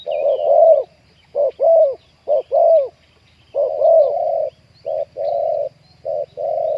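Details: Spotted dove cooing with a 'khu-ang' style, deep big voice, while luring and trapping wild doves in Thailand. Low mellow cooing phrases, gapped and irregular, several coo notes running together with short pauses between bouts; quiet background.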